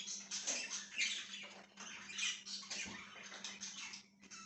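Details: Parakeet chirping recorded 1/6/2023: dense, noisy chatter of rasps and quick chirps with brief gaps, above a continuous low hum.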